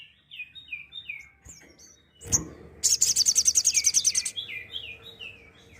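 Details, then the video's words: Sooty-headed bulbul song in tembakan style, used to tutor songbirds: a series of quick falling whistled slurs, a sharp click, then an intense rapid high-pitched rattle lasting over a second, returning to repeated downslurred notes. "Suara Tembakan Sogok Ontong"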